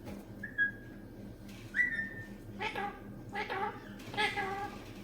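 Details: Green talking parrot at home, quiet whistled notes at first, then several short, harsh, speech-like syllables in a row, faint against a low background hum.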